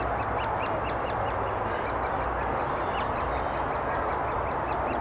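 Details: At a great spotted woodpecker nest in Thurrock woods, 20 May 2014, adults feeding chicks: a continuous run of short, high, ticking calls, evenly spaced and quickening slightly, above a steady broad rushing noise from the FinePix HS50EXR.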